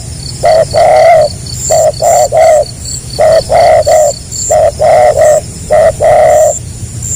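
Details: Spotted dove (tekukur) song in the gagap rapat selang nguku style: low, hollow coos delivered in tight stuttering clusters of two or three notes, each cluster separated by a short pause and repeated over and over, with a faint steady hiss behind.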